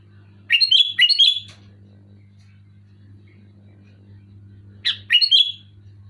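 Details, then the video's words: Loudly singing sooty-headed bulbul, meant to make silent bulbuls sing; a chattering run of two or three quick fluty bursts, a long pause, then a similar burst, all above a faint continuous hum. "Suara burung kutilang gacor keras jelas bikin kutilang omyokan macet malas bunyi auto bunyi gacor"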